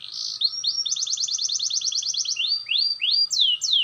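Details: Clear-voiced canary learning to roll: a steady rapid roll of repeated notes about four per half-second, then several rising-falling swept whistles, loud and close.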